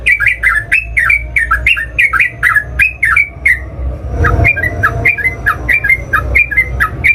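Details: Energetic fighting song of a sooty-headed bulbul, sung to provoke rival birds to answer: a long, fast run of paired chirpy notes, each dropping then rising, delivered almost without pause for seven seconds over faint low hum.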